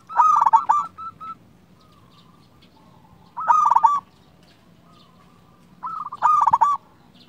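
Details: Local zebra dove singing vigorously: three loud bursts of rapid, stuttering cooing notes, each lasting under a second and coming roughly every three seconds, with fainter short coo phrases between them.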